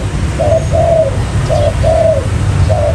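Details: Spotted dove lure for catching wild birds, 'mailai' style: soft low coos grouped as a quick note and a longer purring note, two pairs then a third beginning, against a constant deep hum.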